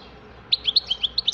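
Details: Brief goldfinch phrase: a series of about eight clear, bright chirps spaced evenly and quickly, high-pitched and slightly slurred.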